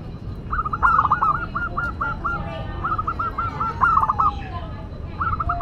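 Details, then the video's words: Local Zebra dove with a classic, unique song: rapid rolling series of short, staccato cooing notes, repeated in bursts separated by brief pauses, against a constant low murmur of background noise. "Perkutut Lokal Gacor Suara KLASIK Dan UNIK"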